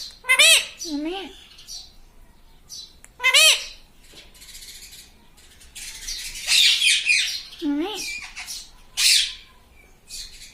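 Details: Pet talking parrot makes short, quavering, speech-like phrases separated by pauses, with harsher squawks and fluttering sounds in between.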